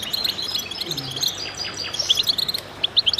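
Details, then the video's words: Group of goldfinches singing together to stimulate other birds: soft overlapping twitters at first, then louder, sharper high chirps that come in quick uneven clusters toward the end. "voices a chorus of goldfinches in concert to stimulate birds"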